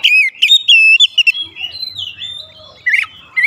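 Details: Oriental magpie-robin lure song to get other birds worked up: clear, loud whistled notes, some held and some slurred, followed by softer sliding whistles and a final sharp chirp.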